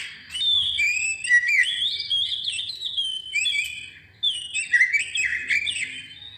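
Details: Oriental magpie-robin song played to encourage other birds to sing, made of dense, rich whistled phrases layered with high chirps and twitters, in two bursts separated by a short pause.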